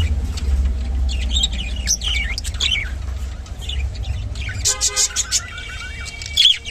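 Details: Rainbow budgerigar gives a running chatter of squeaky chirps and slurred notes, then a buzzy nasal call and several short bursts near the end, with a continuous low hum beneath.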